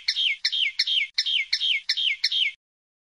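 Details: Common linnet repeating the same down-slurred chirping phrase seven times, roughly three per second, each phrase falling in pitch at its end.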